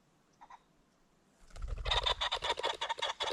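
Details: Ring-necked pheasant at sunset by a creek bottom: two soft notes, then an abrupt loud, rapid harsh cackling series with low fluttering rumble beneath, about two and a half notes a second.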